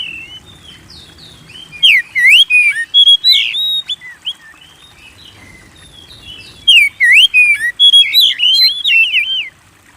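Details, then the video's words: Song of a white-rumped shama used to coax kept birds to sing: two bright phrases of looping whistles and rapid high chips separated by a quiet stretch. "Pancing Burung Kacer Gacor"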